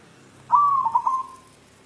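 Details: One coo phrase from a white zebra dove seeking a mate: a clear hollow note held briefly, broken by a couple of quick stuttering pulses, then trailing off into a softer sustained tone.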